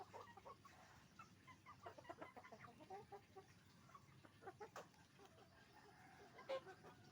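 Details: Chicken farm flock of roosters and hens: scattered short clucks and chattering notes from many birds, one louder sharp call near the end, against a constant low background murmur.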